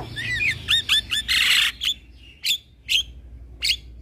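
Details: Young male black-winged starling, caged and head-bobbing, recorded as a training master: paired whistled slurs, a loud rasping burst, then isolated sharp chip notes spaced about half a second apart.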